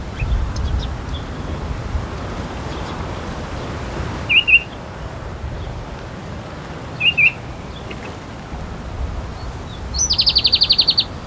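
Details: Palestine sunbird with scattered short chirps, then a fast, rattling, high trill near the end, over steady low rumble like distant traffic.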